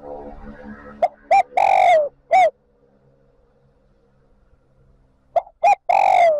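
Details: Spotted dove calling wild doves back to the flock. A faint hum is followed by a coo phrase of short notes and one long coo, then a pause, and the phrase starts again.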